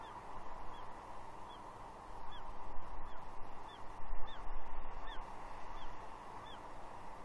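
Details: Juvenile female bald eagle begging her father for fish on a gnarly tree, Two Harbors, Catalina, 30 June 2021; a quick series of brief descending squeals, roughly two to three per second, against steady wind-like hiss.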